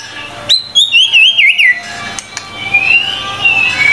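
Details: Murai batu, the white-rumped shama, in full vigorous song for tutoring: a high whistled note leads into rapid wavering trills, then a long thin whistle gently rising and falling, over faint background hum.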